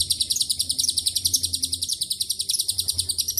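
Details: Long ngekek trill from a lovebird whose song carries Cililin and canary phrases. Sharp, high, closely packed chirps pulse rapidly and evenly, with a soft low rumble in the background.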